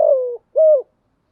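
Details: Female spotted dove calling as a decoy to attract doves. A falling rolled coo is followed by a short pause, then a single clear, slightly arched hoot. The background is silent.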